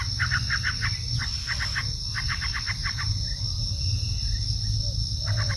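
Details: Bar-winged prinia (ciblek) giving short bursts of rapid chirps, then falling mostly quiet before a final few notes, while a persistent high insect whine and low rumble continue throughout.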